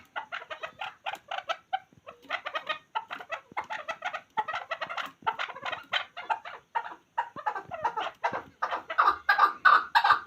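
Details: Quieter chukar partridge calling, labelled a hunter chakor: clipped clucking notes in short clusters separated by small gaps, building to a louder, denser run at the finish.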